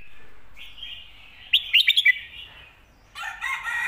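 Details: Red-whiskered bulbul song of the styles called 'stir-fried noodles' and 'bottle shaking', for teaching birds at home: a short flurry of five clipped, sharp notes above a steady hum, then a rough, noisy burst.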